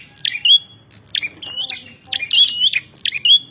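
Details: Challenging song of a bar-winged prinia: a few separate bursts, each a scratchy buzz running into a thin rising whistle, spaced by short silences.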